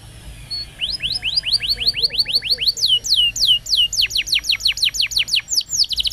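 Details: Long, lively canary song meant to teach and lure young pet canaries. Rapid rising slurred notes repeat about three per second, then shift into falling sweeps and dense high twitters.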